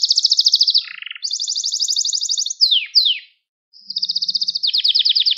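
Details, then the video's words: Song of a Gloster canary for stimulating other canaries: quick high trills, a lower rattling tour, two sweeping downward whistles, a short silence, then rapid trilling resumes. "Yok Böyle Bir Gloster Kanarya Sesi Ve Ötüşü | Kanarya Huylandırma | Kanarya Kızıştırma"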